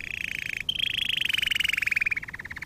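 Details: Canary in song for canary training: one continuous rapid rolling trill of fast pulses, briefly broken, then resuming slightly higher and gliding gradually lower before the pulses slow toward the end.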